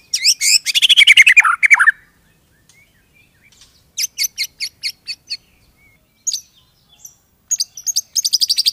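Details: Song of a white-rumped shama: a rapid rattling burst of descending notes, followed by evenly spaced sharp high chips and a fast, high, ringing trill at the end.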